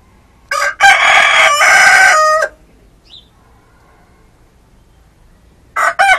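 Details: A red and a speckled rooster crowing: one loud, harsh crow of nearly two seconds with a stuttered start, then quiet with a faint chirp, and another crow beginning at the end.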